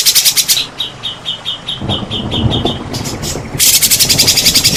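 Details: White-rumped shama song meant to provoke other shamas into singing: a rattling burst, then a row of short clear whistled notes repeated about three per second, then another fast harsh rattle.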